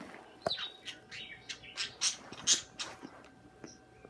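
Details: A pair of pet budgerigars chirping and singing together, giving quick squeaky chirps and brief squawky notes at irregular intervals, about two a second, over a quiet indoor background.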